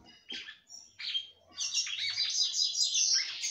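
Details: A singing female red-cowled cardinal, stimulating the male, opens with two short slurred notes, then breaks into a continuous rapid, high, twittering and buzzy warble.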